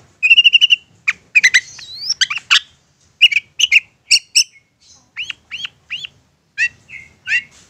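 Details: Long-tailed shrike in a persistent provoking song: a rapid rattle of repeated notes, a mix of harsh bursts and slurred whistles, then a string of rising upslurred whistles and short buzzy notes.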